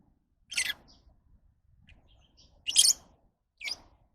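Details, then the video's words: Lovebird calls in three short, shrill, scratchy bursts, the loudest in the middle, separated by quiet gaps with faint low background rumble. "Love birds Sounds"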